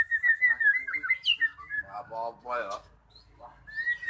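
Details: Magpie-robin song for prompting stalled birds to sing: a run of clear, wavering whistles at a steady pitch, then rough rasping notes and a final short whistle.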